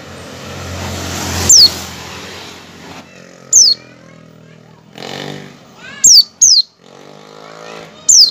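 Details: High descending whistles of an Oriental white-eye's ngecal call, meant to prompt white-eyes to sing, spaced out over loud traffic or engine noise and murmuring.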